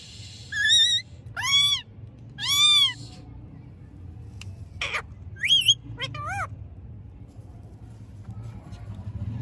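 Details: Talking pet green ring-necked parakeet from India producing a run of wavering, whistled calls that rise and fall in pitch, several drawn-out, separated by short gaps, with a couple of clicks and soft room noise.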